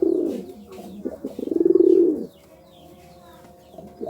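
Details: Deep, rapidly pulsing coos from a pigeon in courtship: a short opening burst, then a longer swelling roll that cuts off, followed by near quiet with a faint coo at the end.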